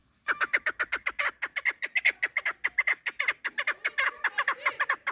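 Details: Hen chukar partridge, a hunter's bird, calling in rapid, dense chuck notes, more than two per second, sharp and clipped, continuing unbroken for five seconds with no other sounds.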